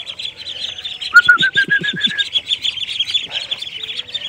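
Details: Domestic ducklings, grown large and starting to get feathers, eating bran and a mash mix just given in their new pen. Continuous rapid high peeping chirps, with a short run of about seven lower, harsher calls near the middle.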